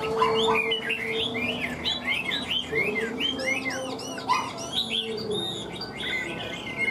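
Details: Captive Hwamei rattling off rapid, repeated whistled notes, each a quick arching slur, in a fast chattering sequence with brief pauses between bursts.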